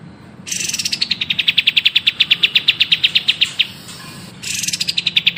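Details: High buzzy note leading into a long run of rapid, evenly spaced chirps, then a pause and another buzz-introduced chirping run, from a vigorously singing songbird recorded for song training.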